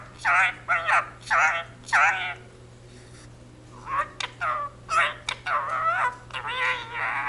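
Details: Indian ringneck parakeet living with a family, saying the Punjabi jaikara "jo bole so nihaal sat sri akal": four evenly spaced high, voice-like syllables, a pause, then a faster chattering string of words.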